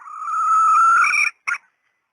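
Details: A female red junglefowl's call used as a decoy: a long, steadily rising, reedy note held over a second, ending abruptly, then a single short clipped note.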